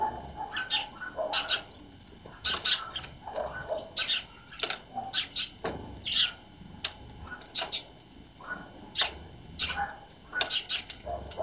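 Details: Tits arriving early at a feeder on a winter morning after a cold night: brief high chirps come in quick irregular clusters throughout, mixed with lower, softer knocking and rustling sounds.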